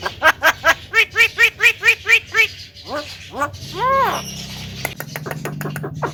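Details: Tame talking Javan myna giving a rapid series of about ten evenly spaced harmonic nasal syllables, then several loud arching, speech-like calls and scratchy clicks.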